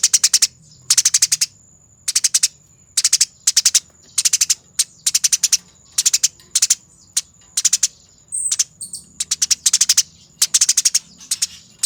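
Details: Fighting Eurasian tree sparrow on a master recording for training birds gives short clipped bursts of rapid harsh ticking chatter, several per second, spaced unevenly, with a faint continuous high-pitched tone behind.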